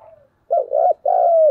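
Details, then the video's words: Challenging coo of a spotted dove, a 'thúc gù' duel call: a faint trailing coo, then one loud phrase of two quick coos and a long, drawn-out coo that falls away at the end. "cu gáy thúc gù// Cu gù đấu sung nhất"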